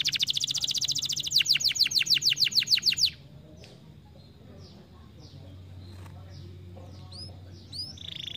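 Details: Canary singing a stimulating song: a fast, bright trill of repeated high downslurred notes for about three seconds, then scattered soft chirps and whistled notes over faint low hum.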